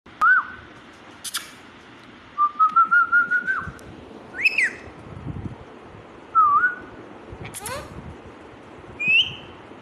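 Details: Pet rose-ringed parakeet (green ringneck) talking. Short tonal phrases: a quick rising-falling note, a wavering run of even notes, a sharp upward squeak, a dipping note and a final high whistle, separated by quiet pauses over steady hiss.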